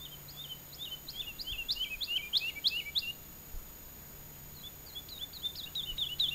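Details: Woodlark song from a quiet fallow field in southern Alentejo, Portugal, early summer, bird about 20 metres away: lilting run of paired whistled notes, a pause, then the phrase begins again, with a faint low hum.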